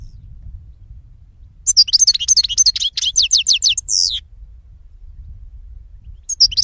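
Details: One phrase from a European goldfinch: a quick series of sharp descending chirps ending in a short buzzy note, set against a steady low hum.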